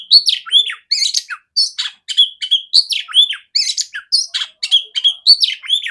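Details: Captive female oriental magpie-robin used to train other magpie-robins, delivering a dense, rapid song of sharp chirps mixed with looping downward whistles, continuous and clear with no other sounds.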